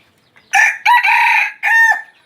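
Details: Wild chicken crowing clearly against a quiet background in three loud, harsh, buzzy segments: a short opening note, a long sustained middle note, and a final dropping note, spanning about a second and a half.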